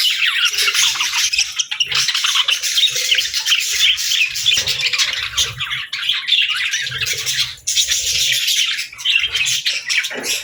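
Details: Steady high-pitched budgerigar warbling with quick chirps and scratchy squawks layered together, dipping briefly a few times before the busy chatter resumes.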